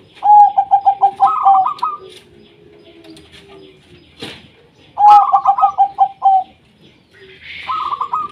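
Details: Local wild zebra dove singing eagerly as a lure for doves that sing little: two loud phrases of fast staccato coos rising into a rolling trill, a sharp click between, and another bird's trill near the end.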